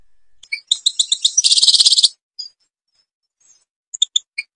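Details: European goldfinch from Algeria, song in the style called Babas forest: short tinkling notes, then a fast twittering run of high metallic trills, a pause, and a few scattered bright chirps.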